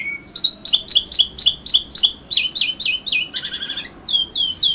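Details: Prize-winning Indonesian contest Asian pied starling, April 2014, repeats a crisp two-part whistled note about four times a second, then a buzzy rattle and further sharp downslurs.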